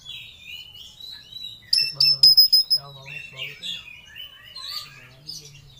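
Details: Oriental magpie-robin singing ngobra style, seeking a rival. Softer whistled notes open, then a burst of rapid sharp clicks and a varied warbled run over a steady low hum.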